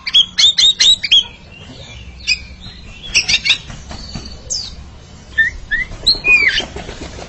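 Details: Oriental magpie-robins, a pair dueling in song: a quick series of five sharp whistled notes, then quieter scattered chips and a few slurred whistles amid faint background noise.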